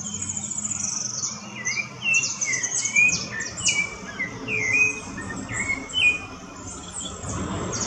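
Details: Rufous-bellied thrush song in the woods: a run of short, liquid, upward-sliding whistles about every half second, set against constant high chirping of other birds and low background rumble.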